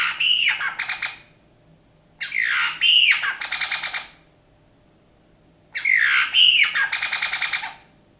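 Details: Captive Eurasian bullfinch, taken in injured from a snowdrift in January 2019, repeats three scratchy song phrases about every three seconds, each a squeaky upward swoop followed by fast rattling, creaking notes.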